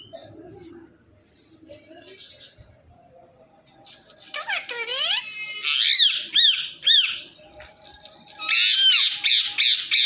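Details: Talking Indian ringneck parakeet, pet bird: quiet start, then loud squeaky arched notes and downward swoops repeated rapidly, ending in a dense high chatter.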